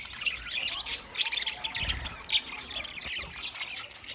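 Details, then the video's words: Twenty budgerigar pairs producing high, thin squawks and chirps in a softer, scattered chatter with a faint low rumble. "20 Budgie pairs chirping sounds | Beautiful parrot singing"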